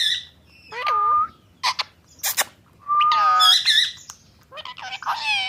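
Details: Tame ringneck parrot talking: squeaky whistled slides and harsh word-like squawks in separate bursts with short silences, ending in a scratchy chatter.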